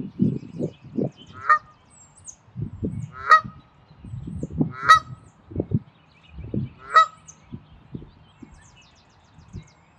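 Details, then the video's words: A Canada goose defending its territory at Wilde Lake, Columbia, Maryland, on 11 April 2024, gives four loud, nasal honks about every two seconds, with low grunting and rumbling between. "Canada Goose (Territorial Defense)"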